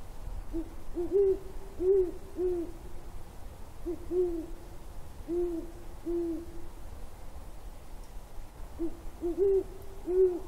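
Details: Hooting great horned owls recorded January 17, 2022: mellow low hoots repeated roughly every half second in loose groups, a longer silent stretch of about two seconds, then a final cluster of hoots.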